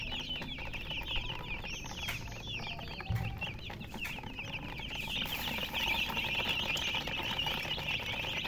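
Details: Baby chickens chirping in a group, about two and a half peeps a second at first, building into a denser, louder chorus of high sliding cheeps, with a soft thump partway through.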